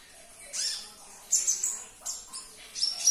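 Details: High-pitched sunbird twitter, meant to make a caged sunbird respond and sing again: short squeaky bursts with thin whistled notes, separated by brief pauses.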